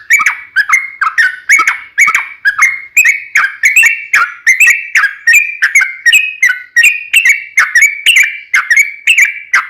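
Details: Sooty-headed bulbul in an extended rapid song used as a lure to start other birds singing: bright, clipped fluty notes in an unbroken chattering run, slightly rising in pitch toward the end.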